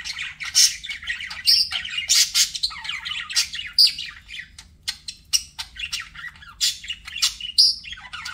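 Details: Budgerigar chatter: an unbroken stream of fast, high chirps, rasping squawks and thin whistled notes, pulsing in quick irregular bursts throughout.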